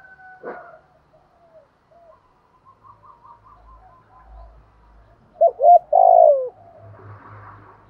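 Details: Decoy spotted dove calling its flock at dawn-time morning: after a sharp click and faint distant notes, a quick trio of short coos leads into one long, downward-gliding coo, followed by soft rustling.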